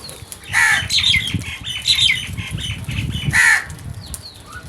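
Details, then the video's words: A group of crows attacking food: loud flapping wings and scuffling, with several hoarse, harsh caws at intervals over a busy background. "Number of Crows Brutal Attack on Food | Crows Sounds"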